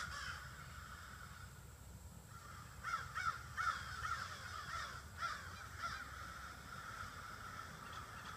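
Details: Evening gathering of about 30 to 40 crows in trees by a house: several overlapping harsh caws in a loose cluster midway, set against a constant low hum and distant murmuring noise.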